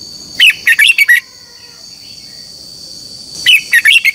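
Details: Red-whiskered bulbul used as a lure bird to spur competitive morning singing, two clustered phrases of five rapid, bright warbled notes about three seconds apart, faint background hum.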